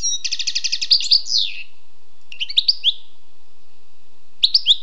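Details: Wild European goldfinch song opening with a rapid buzzy trill of repeated notes, followed by short bright twittering phrases separated by pauses.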